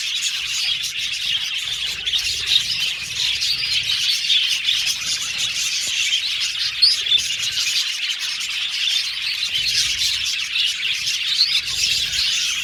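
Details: Colony of budgerigars in an aviary, a dense, unbroken chatter of high, scratchy chirps and twitters from many birds at once, with small louder peaks throughout.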